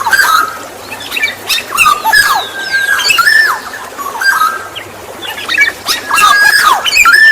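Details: Black-naped oriole lure song made of rapid repeated harsh chatter and curved whistles, with several louder bursts near the start and end.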